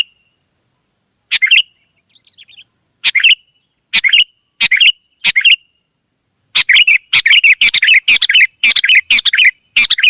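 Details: Wild sooty-headed bulbuls answering: a few spaced, harsh bubbly notes and a soft warble, then a fast run of about a dozen chattering bursts in the last four seconds, over a constant high-pitched hum.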